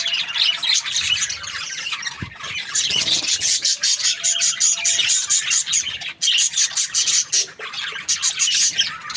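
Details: Cheerful budgerigar chirping, rapid clicky twitters and buzzy squawks in quick bursts, briefly dipping around the middle before the busy chatter resumes, a faint thump and steady hum behind.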